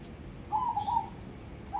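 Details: Crossbred zebra dove prepared for contests delivers a single brief, bubbling coo phrase preceded by a faint high slur, then the start of another phrase.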